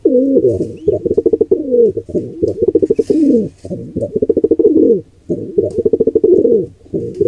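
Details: A nestling pigeon attacked by a wild intruder pair: dense, pulsing cooing with rolling downward slurs, almost unbroken for seven seconds, mixed with rapid wing or body flutter.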